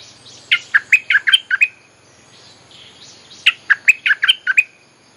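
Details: Lure song of a bulbul for calling in wild birds, two rapid phrases of about six bright, clipped, chirpy notes each, roughly three seconds apart, over quiet background noise.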